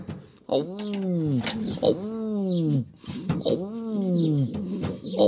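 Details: Racing pigeon giving three long, low, throaty coos that swell and then droop, each lasting roughly a second, with light tapping and scuffling sounds between them.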